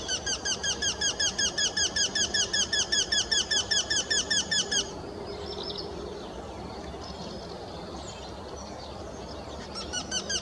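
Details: A Eurasian wryneck at an artificial nest box gives about twenty rapid, nasal, slightly rising 'quee' notes, around four per second, then a second bird, possibly another male about 40 m away, starts answering; the pair evicted nesting tits and tree sparrows.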